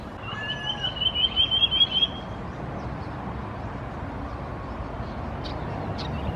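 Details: Common iora calling at Khao Yoi, Phetchaburi, Thailand, in August 2020: a quick, high, wavering trill of about two seconds with a short lower note near its start, over steady background rumble and faint chirps.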